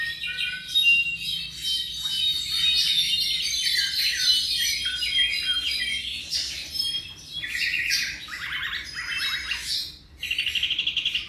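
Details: An approximately seven-month-old Tropical Mockingbird sings a fast, unbroken medley of varied chirps, whistles and squawky notes, then shifts to repeated buzzy, trilled phrases.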